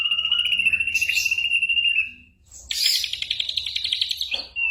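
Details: Ashy drongo copying other birds' voices, meant as a tutor for songbirds such as the white-rumped shama in moult; a long level high whistle, a short pause, then a fast buzzy chattering trill ending in a short note.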